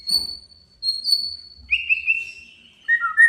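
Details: White-rumped shama, a male bird, singing to challenge and provoke a rival: long clear whistles held high, then dropping to lower sliding whistled notes, with short pauses between phrases.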